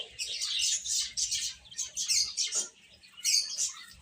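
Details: Young chickens eating and at play give rapid, piercing peeps in clustered bursts, with a brief quieter gap near the end before the chirping resumes.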